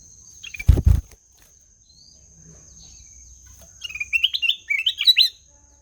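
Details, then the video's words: Black-headed bulbul singing bright, warbled whistled phrases that rise and fall in quick bursts, after two loud low thumps, with a constant high-pitched tone in the background. "SUARA MERDU KUTILANG EMAS"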